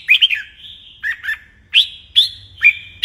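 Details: Red-whiskered bulbul during morning fighting-song training, giving loud, clear whistled notes that swoop downward, spaced about half a second apart after an opening double phrase.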